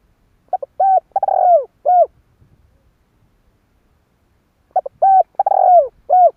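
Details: Spotted dove phrase played as a trapping lure, heard twice about four seconds apart: short coos, an even coo, a long rolling descending coo and a falling closing note, with faint low knocks between.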